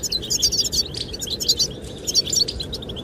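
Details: Goldfinches singing to attract the female, heard against a steady wind: quick, tinkling high twitters in dense clusters, with brief gaps between the bursts.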